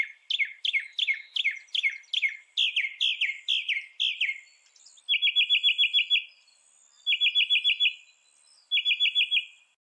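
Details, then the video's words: Northern mockingbird giving a run of rapidly repeated downslurred chirps, then switching to quick trilled bursts of even notes, each burst about a second long and repeated three times with short pauses. "northern mockingbird call"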